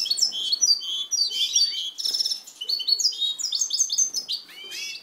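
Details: Captive-bred European goldfinch (Carduelis carduelis parva) sings a fast, tinkling stream of bright twitters, liquid trills and buzzy notes, barely pausing across the whole passage.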